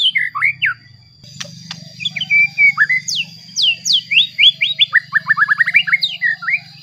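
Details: Provoking song of a white-rumped shama, meant to rouse rival shamas: varied whistled phrases with steep downward sweeps, then a rapid string of short rising notes, over a steady low hum.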